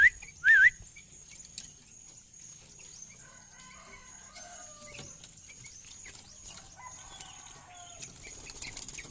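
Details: Tame sooty-headed bulbul giving a single loud, short, wavering whistled phrase near the start, followed by faint scattered chirps and twitters over a steady background hiss.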